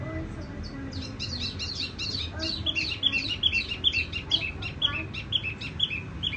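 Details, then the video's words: Tiểu mi songbird with a soft, ringing song: high chattering phrases of quick down-slurred notes, faint at first and then busier and louder, with several bright whistled accents in the second half. "Chim tiểu mi hót tiếng vang dịu"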